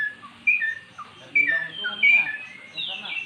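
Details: Magpie-robin kept in a cage, coaxed into song by recorded magpie-robin calls: a few loud whistled notes and upslurs in short bursts, separated by brief pauses, with faint background noise.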